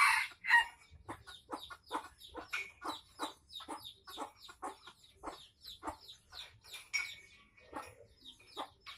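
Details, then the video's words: Tame red junglefowl from Aceh giving a rapid series of short, sharp clucking notes, roughly two per second, opening with a louder, harsher burst before settling into an even, chattering rhythm. "Ayam Hutan Aceh"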